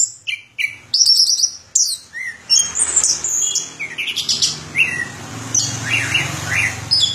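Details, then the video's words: Orange-headed thrush song: varied whistled phrases and sharp high notes in quick succession, with some rising slurred notes around the middle, over a faint low hum in the background. "Suara Burung Anis Kembang"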